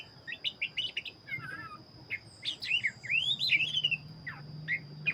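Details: Black-breasted Oriental magpie-robin in vigorous song: quick repeated chips open the passage, then long rising and falling whistled slurs follow, backed by a steady high tone and a faint low hum.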